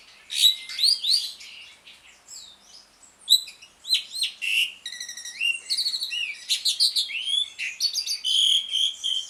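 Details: Asian pied starling singing in the ngriwik style, a continuous twittering chatter used as a lure for starlings that have stopped singing; varied whistled slurs, harsh buzzy bursts and rattling trills follow one another without pause, all high-pitched, no other sounds.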